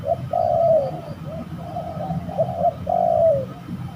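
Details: During a fight, a spotted dove at a trapping site gives a long purring croo, then softer coos, then another long croo, all at a steady low pitch with a faint background hum.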